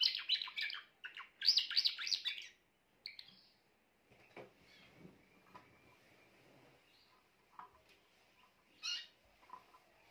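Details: Grey Timbrado canary delivering a burst of fast, bright trilled song for about two and a half seconds, then falling mostly quiet apart from a few isolated chirps and faint background noise.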